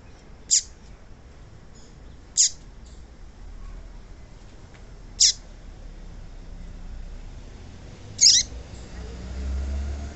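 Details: Female papa-capim calling, used to excite a male and make him sing a lot: single sharp, high, downslurred chip notes spaced about two to three seconds apart over a low background hiss.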